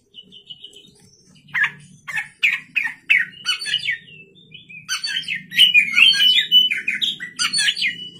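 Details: Oriental magpie-robin singing at night as a lure for other cage birds: a varied run of sharp chirps and rich warbled phrases, with loud bursts about every half second that grow busier and denser toward the end, over a faint low hum.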